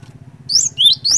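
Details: Cinereous tit singing energetically to draw other birds of its kind into song: three bright, upward-sweeping whistles, the middle one lower, against a faint low hum.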